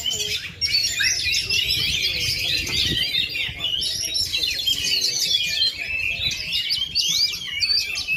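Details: Oriental magpie-robin, a kept bird still singing at full power despite 2.5 years without moulting, pours out busy, jumbled high chattering and whistles for several seconds, with a brief low thump and soft voices behind.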